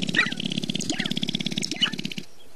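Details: Sharp-tailed grouse at Namekagon Barrens in northern Wisconsin, recorded in April with two shotgun microphones: a rapid, even train of low pulses like fast stamping or rattling, overlaid with brief higher squeaky and chattering notes, outdoors.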